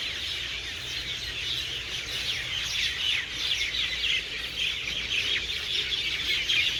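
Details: Evening roost of a large flock in garden trees: loud overlapping chirps and twitters merge into one unbroken, shrill wall of bird sound.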